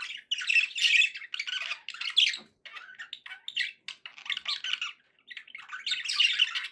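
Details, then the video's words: Budgerigars kept as pets calling happily, rough squawky warbles and chirps repeated in uneven bursts with brief silences, several phrases overlapping. "happy budgie sounds"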